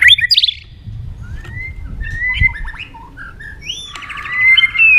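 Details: Fighting song of a white-rumped shama, delivered with rapid tail-flicks: bright whistled phrases mixed with buzzy trills and sliding notes, ending in a loud rattling burst, with faint low rumble beneath.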